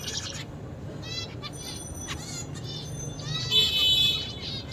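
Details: A zebra finch sings as it eats, giving buzzy harmonic notes in short stacked bursts, with a louder rasping phrase near the end over a low constant hum.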